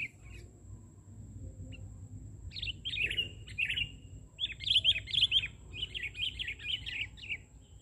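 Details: Sooty-headed bulbul, described as very vocal, recorded during bird trapping in Indonesia: a few isolated chirps, then clustered phrases of bubbly, rising notes in a quick series.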